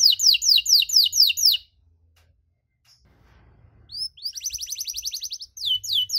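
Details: Canary singing long cengkok song to provoke other canaries: a burst of fast falling whistles, a silent gap of two seconds, then a fine buzzy trill and further swept notes.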